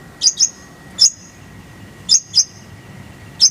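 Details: Konin (kolibri ninja) tutor recording: loud high double chips, each followed by a thin level whistle, given in spaced bursts roughly once a second, with a steady low hum.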